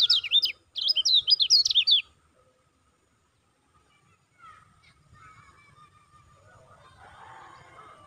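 Lemon-bellied White-eye giving quick, high, twittering chirps in two bursts over about two seconds, followed by fainter, lower warbling notes.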